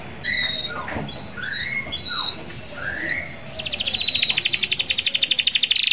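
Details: Canary in full song, used to lure rivals with a long roll: scattered whistled rising and falling notes, then a loud, even, rapid trill of repeated pulses lasting over two seconds, over a steady background hum.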